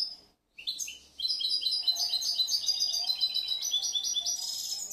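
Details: A European goldfinch hatched the previous year, described as an inventive singer that still needs to become mellower, bursts into a continuous stream of quick, bright, jingling chirps after a short silence.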